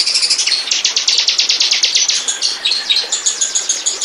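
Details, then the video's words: Bar-winged prinia, a lure recording meant to draw birds in. Rapid, steady high chips open the clip and blend into a busier jumble of thin tweets and short whistled notes, with rhythmic bursts continuing throughout. "Burung. burung ciblek pancingan"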